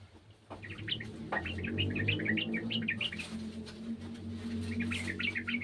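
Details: Yellow-vented bulbul from a garden, a raw untrained bird, giving rapid bursts of short chirpy, warbling notes, about three per second, pausing then resuming near the end, over a steady low hum.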